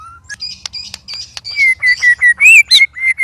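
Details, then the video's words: White-rumped shama sparring among three birds: a low opening whistle and scratchy clicks, then a quick run of loud, clear whistled notes repeated several times a second, one rising sharply. "Murai Keluar Suara Aneh Ketika Di Trex 3 Murai"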